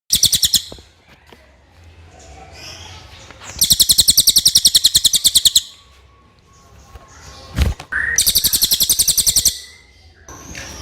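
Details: Common iora giving clear song meant as a tutor recording (masteran): rapid, buzzy, evenly pulsed rattling trills in bursts of about two seconds, separated by pauses with faint background noise and a brief thump.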